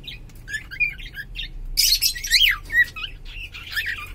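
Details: Indoor pet cockatiel, sex unknown, mixing soft chirps with loud clear whistles that swoop downward, plus brief squeaky notes, several calls tumbling over one another in the middle, with faint room hum.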